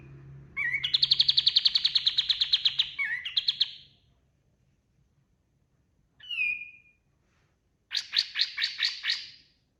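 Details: Singing kapas tembak white-eye, a recording for tutoring other birds: rapid rattling trill of sharp repeated notes, a brief pause, a single slurred whistle, then another fast burst of stuttering notes.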